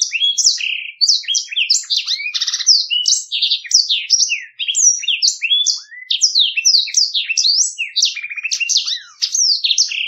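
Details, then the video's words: A black-throated canary sings a long, rapid, unbroken warble of high, sweet twittering notes, slurred whistles and brief buzzy trills, with no other sounds. "Blackthroat | Ngeroll Jernih, POWER IRAMA MANTAB"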